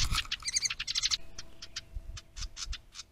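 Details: House wren at a bluebird nest box holding its stick nest, captured by trailcam on 10 May 2023: a rapid burst of bubbly, rattling high notes, then a string of separate sharp chips spaced a few tenths of a second apart.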